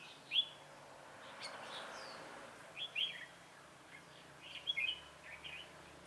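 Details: Red-whiskered bulbul singing during a trapping session with a decoy bird, recorded 27 October 2017; three short, bright, warbled phrases at about 0.4, 3 and 4.8 seconds over a low hiss, with faint other chirps.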